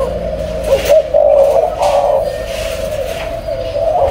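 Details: Low, rounded coos from a captive spotted dove breeding pair swell and fade, with occasional faint clicks and background hum.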